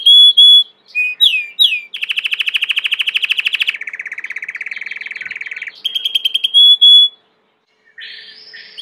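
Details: Singing Belgian canary: a few clear high whistles and rising slurs, then two long rapid trills at different pitches, more bright whistles, a short pause and a buzzy closing phrase.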